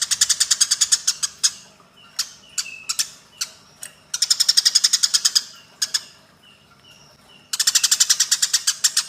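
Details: Eurasian tree sparrows fighting, recorded as training audio for cage birds: three bursts of rapid, harsh chirps about ten per second, separated by scattered single chirps and faint short whistled notes.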